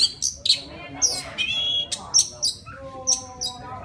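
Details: Singing to call a female, a wild Oriental magpie-robin gives crisp high whistled notes interleaved with short harsh chips, ending with lower, steady tonal notes.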